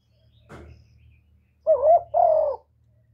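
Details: Spotted dove used as a decoy to attract wild birds to a trapping place, giving one deep two-note coo, a brief hoot then a drawn-out wavering note, after a faint knock.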